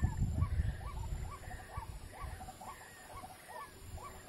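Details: White-breasted waterhen, locally ruak-ruak or kreo padi, recorded during bird trapping: a run of short hooked, croaking notes about two to three per second, over heavy low rumbling noise from wind or handling.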